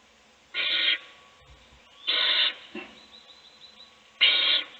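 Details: Owl in a nest box feeding a chick as its siblings sleep; three rasping, breathy hisses, each about half a second long and spaced roughly one and a half to two seconds apart, with faint soft rustling between them.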